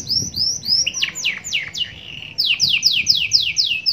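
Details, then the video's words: Canary song of the 'cengkok super mewah' style with glatik batu fill-ins: rising slurred whistles, a few sharp downward sweeps and a held lower note, then a fast series of repeated descending sweeps over faint background hiss. "AUDIO MASTER BURUNG KENARI CENGKOK SUPER MEWAH FULL ISIAN {GLATIK BATU}"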